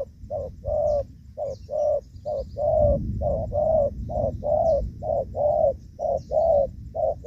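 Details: Spotted dove giving the gù vấp coo during decoy trapping in the rainy season, 23 July 2024: low hollow coo notes in short groups, about two notes a second, with faint high chirps from other birds.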